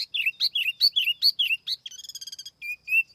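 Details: Tiểu mi laughingthrush song used as a lure bird, recorded without background noise: rapid series of bright whistled notes with swooping slurred phrases, shifting into a fast dry chattering trill, then a few clear whistled notes.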